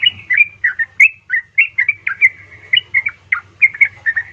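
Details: Calling female yellow-vented bulbul summoning a male, a lure for reluctant caged birds: brisk bubbly whistled notes repeated about four times a second over a faint low hum.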